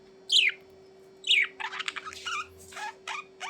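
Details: Budgerigar with two bright, falling chirps about a second apart, then a rapid run of buzzy, scratchy chatter notes; a steady low hum underneath.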